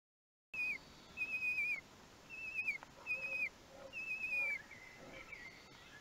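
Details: Common kestrel chicks at one week old being fed at Théding on 31 May 2020; a series of thin, whistled calls each sliding downward, repeated roughly once a second with short gaps, over a faint background hiss.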